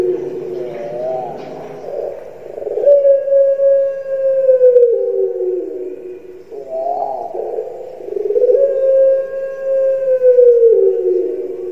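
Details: Barbary dove (Streptopelia risoria), a kept "puter pelung" dove from Java, Indonesia, gives two long, drawn-out coos, each opening with a quavering rise and then held as a low, smooth, slightly falling tone for several seconds.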